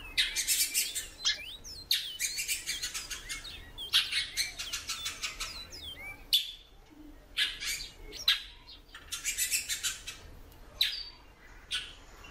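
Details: Repeated slurred chirps from a female great-billed seed-finch that calls a lot, scattered in bunches among frequent broadband rattling and flapping noises, with brief quieter gaps between the bursts.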